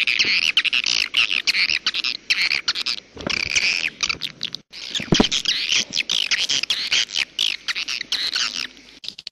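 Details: Edible-nest swiftlet calls, jaguar style, heard as rapid bursts of sharp, buzzy chirps broken by short gaps, with a few low thumps underneath.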